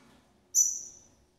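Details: Double-collared seedeater female feeding her young gives a single piercing, very high whistled note, sharp at the start and fading over half a second, against near silence.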